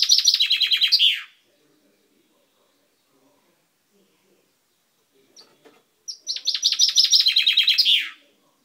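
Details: Pet chaffinch in a cage, beak newly purple, recorded 10/05/12: the end of one trilled phrase, then a quiet pause with faint clicks, then a complete rattling run of sharp notes that drops in pitch and closes with a flourish.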